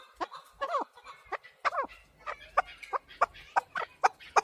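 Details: Chukar partridge calling: a run of short clucking notes with harmonics, starting irregular and settling into evenly spaced chuk notes about every half second.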